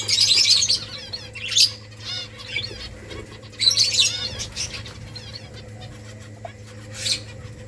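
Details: Nest-building finches in a colony: loud chirping bursts at the start and around four seconds, with wing flutters and quieter scattered chirps between, over a low hum.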